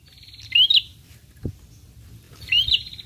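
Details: Lure sound that prinias answer: two separated buzzy phrases, each with a sharp rising chirp, roughly two seconds apart, with a soft thump between and a quiet low hum.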